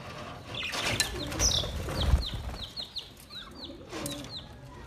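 Budgerigars give quick, high, downslurred chirps in a steady series, with soft chattering and wing noise.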